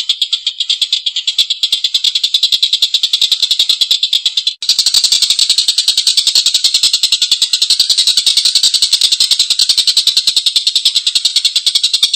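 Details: Collared kingfisher giving a long, rough laughing call: harsh, high kek notes in rapid, even succession, about seven each second, with a brief break near the middle before the rattling series resumes.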